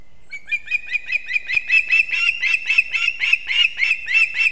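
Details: Male osprey delivering two fish at once to chicks at a Latvian nest in Kurzeme, 3 September 2024, 6:40 am. A quick series of whistled chips, about four per second, grows steadily louder and more insistent.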